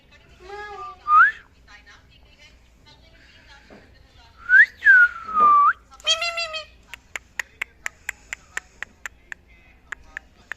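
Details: A male pet ring-necked (rose-ringed) parakeet, a chatty talking bird, chatters with rising and falling whistles and a harsh, speech-like burst, then a run of quick dry clicks about twice a second.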